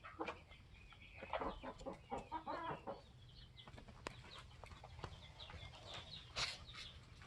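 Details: Flock of 21-week-old Polish layer hens with their protective rooster, giving a loose run of short, throaty clucks through the first three seconds, then quieter clicks and a sharp knock.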